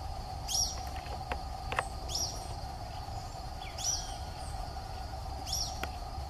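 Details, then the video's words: Social flycatcher heard live in Atlantic Forest: four high, sharp call bursts repeated about every one and a half seconds, with a continuous low hum and scattered soft ticks beneath. "BENTEVIZINHO de PENACHO VERMELHO (CHAMADO) SOCIAL FLYCATCHER"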